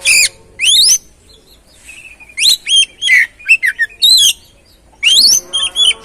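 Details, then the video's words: Oriental magpie-robin song played to encourage another bird to sing: bursts of loud, rising whistles and quick chirps in short phrases separated by brief pauses. "Pancingan Burung Kacer"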